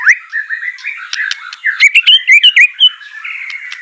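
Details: Caged white-rumped shama in training song, a rich mix of warbled whistles, sliding notes and clicks, with a burst of loud repeated chirps midway.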